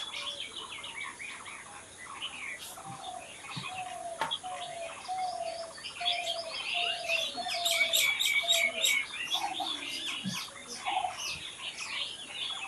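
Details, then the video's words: Birds singing outdoors in a raw natural recording. A busy chorus of high chirps and trills, with a lower piping note repeated about every half second, growing louder midway. "Natural Birds Chirping"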